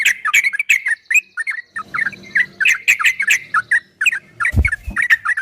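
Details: A yellow-vented bulbul delivers a fast ropel song for a cage-bird training recording. Lively, chirpy, warbled notes follow one another closely, with soft low hum behind them and a single dull knock near the end.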